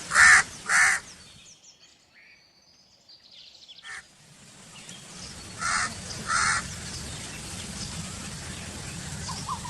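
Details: Two loud, hoarse caws from a crow open the recording, followed by near silence, then two more caws farther off amid rising background noise.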